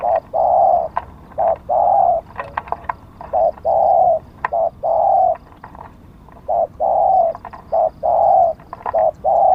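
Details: Decoy spotted dove prized for auspicious markings, calling while luring wild birds: a steady run of hoarse coos, short notes alternating with longer ones, about a dozen in quick succession, light clicking behind.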